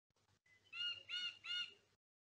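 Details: Rufous woodpecker giving three quick, nasal, harmonic, high-pitched, slightly squealing notes in under a second over a faint hum; the Soliga people believe this call signals danger ahead or a distant community member's death.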